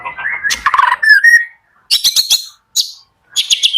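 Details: White-rumped shama morning song for coaxing slow singers: warbled sliding whistles, then three short bursts of very high, rapid, scratchy notes separated by brief silences.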